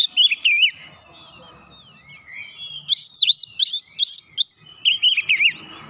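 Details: Oriental magpie-robin singing as a lure to provoke rival magpie-robins, showing learned filler material: a wavering whistled phrase, soft sliding notes, then a run of loud V-shaped slurred whistles and a final wavering burst.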